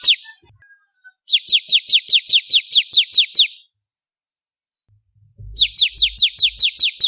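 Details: Bar-winged prinia, an actively singing crystal-type bird used as a master recording for training contest birds, gives long bursts of rapid, sharp, downward-sweeping high chips, about fourteen then eight notes, separated by a quiet pause.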